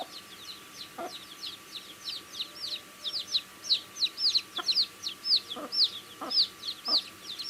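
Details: Cute baby chicks chirping as they eat: high peeps become louder and clearer toward the end, each a bright arched note about twice per second, with occasional low taps.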